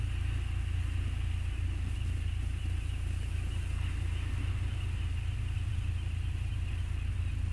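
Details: Continuous low vehicle or engine rumble with a faint steady hiss above it, and no animal calls.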